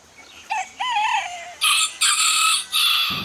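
A rooster crows: a short rising note, then loud, harsh, strained syllables run together into a ragged cock-a-doodle-doo, with no other sounds.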